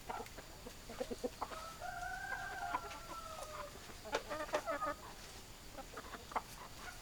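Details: Rooster crowing among clucking hens: one long, drawn-out level crow of about two seconds rides over scattered short clucks, which grow busier after the crow ends.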